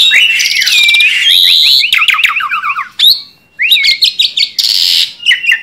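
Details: Tame Asian pied starling singing actively: loud, varied whistles, rising and falling slurs, rapid buzzy chattering runs and harsh scratchy bursts, with a brief pause near the middle before the bright phrases resume.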